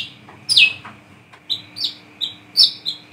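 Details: Brown-throated sunbird recorded at night, used as a lure call, giving high, thin chirps and short slurred notes, about four in three seconds, over a faint steady hum.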